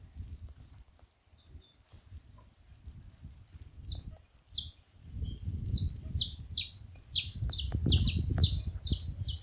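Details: Saffron finch song building from scattered high chirps into a quicker run of sharp, descending metallic notes, with low-pitched rumbling noise throughout.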